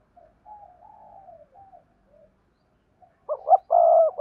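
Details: Spotted dove acting as a decoy for wild doves: soft low murmuring at first, then the start of a loud coo phrase with gruff notes and a long drawn coo at the end.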